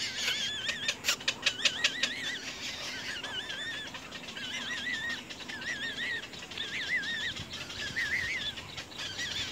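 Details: Little egret chicks at the nest pecking hard at their parent: repeated wavering, warbling calls, with a noisy burst of fluttering and flapping early on and a constant hiss behind.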